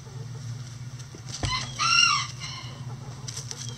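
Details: Chicken in a coop on a sunny day, one loud drawn-out harmonic squawk arching up then down near the middle, with soft clucks and a low background hum.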